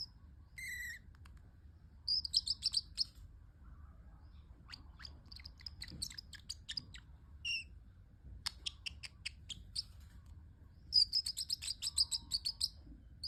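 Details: A pet parrotlet making cute sounds: scattered high chirps and clicks, ending in a loud rapid run of chirps.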